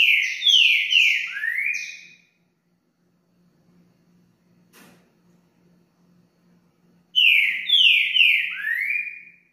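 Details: A green-winged saltator sings the song type called "60 Boi", used for song training: loud, rich whistled phrases of four or five notes, each slurring downward.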